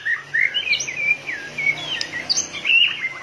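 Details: White-rumped shama in fiery form, tail flicking like a machine, sings short slurred whistles and rising and falling sweeps, followed by a brighter trilled flourish near the end.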